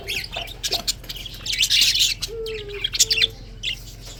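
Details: Budgies heard chirping one February 2024 morning: scattered sharp chirps and a burst of bright twittering chatter, plus two short flat whistled notes, set against a steady low-pitched hum.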